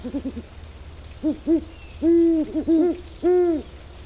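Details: Great horned owl (Bubo virginianus) recorded in Ecuador gives a rapid stuttering series of soft low notes, then paired hoots, a long booming hoot, quick doubled notes and a final drawn-out hoot; insects buzz high behind.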